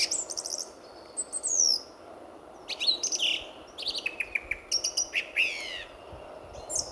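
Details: Wild song thrush in song before sunrise on a February morning at RSPB Fowlmere, a reserve full of singing thrushes: bright, varied phrases of sharp clicks, trills and whistles, with short pauses between them.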